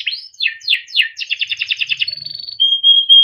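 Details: Timbrado canary training song: several steep falling sweeps, then a bright pulsed trill, moving into a thin high buzz and a pure steady whistle.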